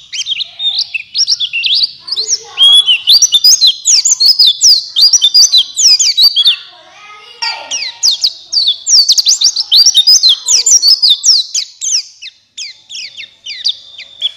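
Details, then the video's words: Long stretch of buxtoni white-eye song, played to trigger other white-eyes to sing with open beaks: energetic, high, continuous twitter of rapid slurred notes, with a brief lull midway. "Pancingan Pleci Cepat buka paruh Gacor Ngalas Bukpar"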